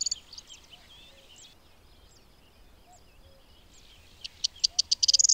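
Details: Corn bunting (Emberiza calandra) singing at Baie d'Audierne, Brittany, France, late April–early May 2022: dry, high ticking notes speeding into a jangling rattle, with faint thin whistles from other birds between.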